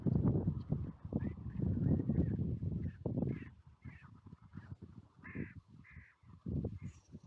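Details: Carrion crows, a group regularly fed on a clifftop seafront, give a handful of harsh, hoarse caws, a second or so apart, in the second half, over a heavy rumble of wind and surf.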